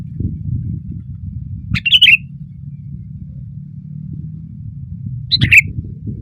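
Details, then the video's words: Sooty-headed bulbul perched on a branch and singing loudly: two brief rollicking phrases a few seconds apart, each a rough burst slurring into clear warbled notes, with low background rumble throughout. "SUARA BURUNG KUTILANG GACOR KERAS KETIKA DIATAS RANTING"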